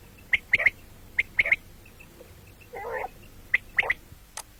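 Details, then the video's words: Common quail calling morning and night: sharp, liquid, high three-note phrases repeated three times at steady intervals, with one lower nasal note between them. "бедана batair ki awaz quil sound beautiful morning and night بٹیروں کی سپیشل زبردست آواز صبح رات"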